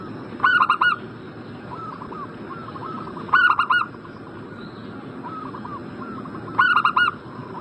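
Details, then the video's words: Zebra dove call meant to prompt a bird in breeding condition to respond. Three loud phrases of rapid, staccato coo notes come about every three seconds over a steady run of softer cooing. "Pancingan burung perkutut Agar Cepat Nyaut"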